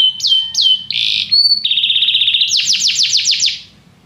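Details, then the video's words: Canary song for training a canary to sing: two slurred whistled notes, short buzzy trills at changing pitches, then a run of repeated downward-swept notes fading out. "Este canto canário inspira o apetite do seu canário para cantar imediatamente"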